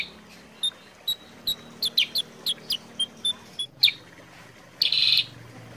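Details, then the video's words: Sooty-headed bulbul voice for luring and tutoring kept birds of the same kind. A run of crisp, high chirps spaced under half a second apart ends in a short harsh rasp. "pancingan suara kutilang sutra gacor jernih"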